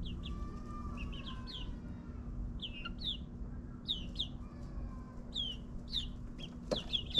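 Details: Young backyard chickens in their ninth week peep softly with short descending notes spaced about a second apart, over steady low-pitched suburban drone and a faint whistled tone.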